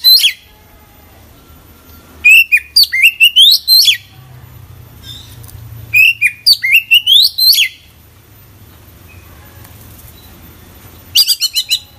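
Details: Oriental magpie-robin singing steadily, its song full of isian fill-in phrases: two bursts of loud, clear whistled notes that rise and sweep in quick runs, then a short stuttering burst at the end, with quiet low hum between phrases.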